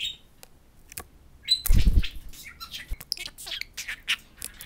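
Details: Pet budgerigars chattering to a mirror indoors, starting with sparse chirps, then a low thump or flutter near two seconds, followed by scratchy warbling and buzzy notes.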